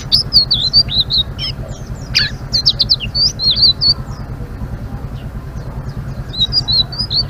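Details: Blue-winged leafbird giving a sparser ngeriwik song: bursts of quick, high twittering and whistled notes with a brief harsh squawk, then a quiet pause before a final chattering phrase. A low steady hum continues throughout.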